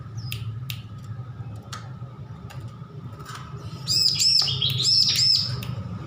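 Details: Young bar-winged prinia, newly weaned from hand-feeding, learning to sing: after scattered faint ticks, a burst of high, arched, rapidly repeated chirping notes arrives in the final two seconds over a steady low hum and rumbling background noise.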